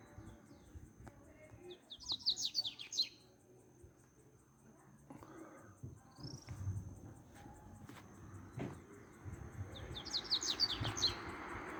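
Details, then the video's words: Wild, free double-collared seedeater recorded on a street, singing the Tui Tui song style: two short bursts of high, rapid twittering notes falling in pitch, separated by a long pause, over low rumbling background noise. "coleira canto Tui Tui solto na natureza"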